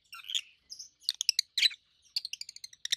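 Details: Two adult rosy-faced lovebirds, a red-head green opaline and a white-head pallid aqua opaline, over a year old, chirping loudly; high, sharp treble chirps in quick bursts and rapid stuttering runs, with no other sounds.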